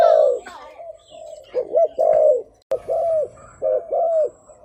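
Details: Spotted dove used as a decoy caller to lure wild birds: low, mellow cooing notes in short two- and three-part phrases, some with a dipping inflection, and a brief voice-like sound near the start.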